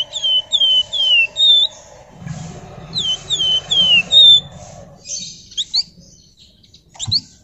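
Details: Flamboyan singing in the busy ngebren style: a run of loud, clear, downslurred whistles, five in quick series, then sparse sharp upward chirps, with a low rumbling noise underneath midway.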